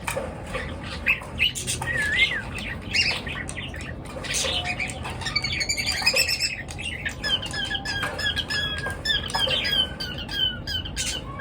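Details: Birds chirping in the morning: a dense chorus of many overlapping high chirps, short twittering notes and a few looping whistled phrases, continuous throughout, with occasional wing flutters and a low steady background hum.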